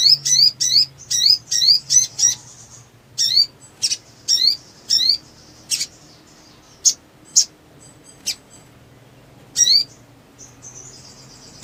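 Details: Black sunbird, locally sogon, singing in full excited ngleper display as a lure for birds that have gone silent. A fast series of high twisting zip notes, then scattered single sharp chips and brief thin trills.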